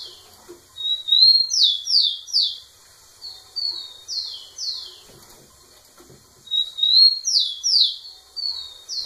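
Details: Rufous-collared sparrow singing intensely beside a female, three full songs of high whistles and repeated descending slurred notes, each lasting about two seconds, separated by brief pauses.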